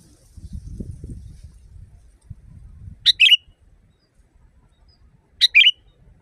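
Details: Sooty-headed bulbul phrase used as a training recording for caged birds: two short bright notes, a sharp high note then a lively wavering whistle, repeated after about two seconds, with low rumbling background noise before.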